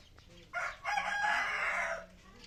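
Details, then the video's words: Red junglefowl crowing: a short harsh opening note, a brief gap, then a longer hoarse, sustained phrase lasting about a second before cutting off, with faint background noise. "ไก่ป่า Qaib qus 100zoo nkauj"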